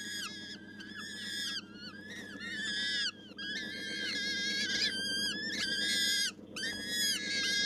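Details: Loud, insistent wailing from a captive gyrfalcon hybrid at a falcon breeder: bursts of harmonic, slightly quavering calls that bend downward at the ends, coming in clusters with short silences, over low hum.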